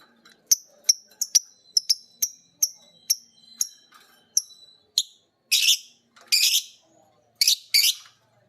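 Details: Two lovebirds, a biola green and a PB Piet, learn ngekek from each other while a master recording plays. A steady series of crisp high chirps about every half second gives way to four loud, harsh squawks.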